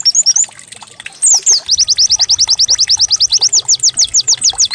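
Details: White-eye song used as a decoy to prompt other birds to sing: high, rapid, sweeping notes, then a long run of downslurred chirps repeated about three times a second, with faint music beneath.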